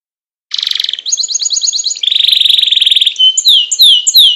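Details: Canary singing 'gacor' style as a training master song: a buzzy high tour, then a fast rattling trill, a long even rolling trill, and finally several loud rising and falling whistled slurs.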